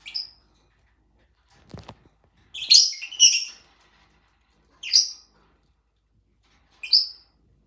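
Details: Caged pet lovebirds fighting and trying to break out: short harsh high shrieks in scattered bursts, a loud double squawk midway, with a few clunks from the cage.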